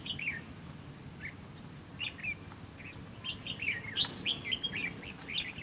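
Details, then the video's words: Red-whiskered bulbul used as a trap decoy to draw in rivals, delivering sharp, bubbly whistled phrases that grow busier toward the end, dense chirps crowding together over low background rumble. "Bẫy chào mào - bẫy đấu chào mào"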